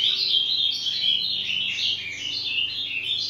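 An ultramarine grosbeak sings a continuous, high, sweet warble of quick varied notes that rise and fall without pause, over a faint low indoor hum.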